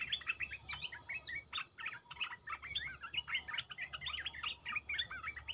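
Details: Red-eyed bulbul decoy chorus: energetic overlapping chirps and warbled notes. An early sweeping whistle is heard, with faint high clicks and a constant insect drone behind.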